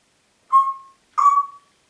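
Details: Congo grey parrot kept as a pet in Diebach near Hammelburg, whistling two similar steady mid-pitched notes about half a second apart, the second slightly longer, in a quiet room.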